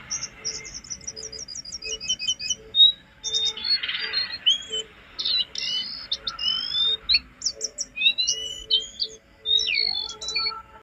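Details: Jongkangan song from a recording used to train cage birds to sing: a trilled run of quick repeated notes, then varied whistles, chirps and sweeping phrases. A low, steady beeping tone repeats in the background.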